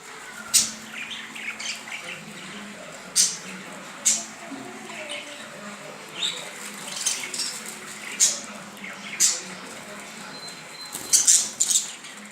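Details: Budgerigars, possibly mating: sharp, scratchy squawks about once a second over soft, steady chatter.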